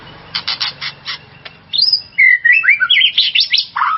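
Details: White-rumped shama song as a provoking lure for another shama: several rough, rasping bursts followed by a lively chain of loud whistles, slurred notes and quick high chirps, varying in pitch.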